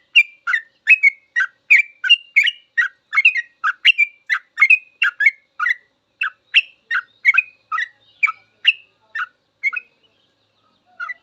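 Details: Eleven seconds of sooty-headed bulbul full ropel song for masteran, a continuous rapid chain of chirpy bubbling notes, about two to three each second, stopping briefly near the close before one last note.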